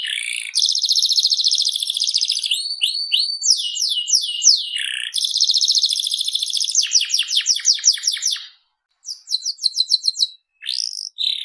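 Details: Canary, Seri FI type, in vigorous song: long buzzy rolling trills, clusters of quick down-slurred notes, rattling repeated phrases, brief pauses and a final whistled sweep.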